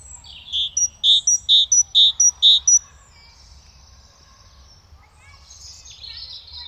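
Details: Great tit singing from a garden bird sound collection: a bright two-note phrase repeated five times over about two seconds, clear whistled notes alternating high and low, then quiet with faint distant birdsong.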